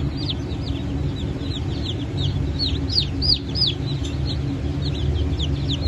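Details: Newly hatched chickens of Brahma, Fizan, Sultan and Appenzeller breeds, 9 May 2024. A crowd of shrill, falling peeps repeats rapidly and irregularly, with a constant low hum underneath.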